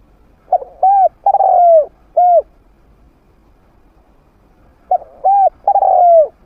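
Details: Decoy spotted dove of the medium-voice type, used in hunting blinds to lure wild birds. Two matching phrases about four seconds apart: short note, arched coo, long sinking coo, with a separate closing coo in the first.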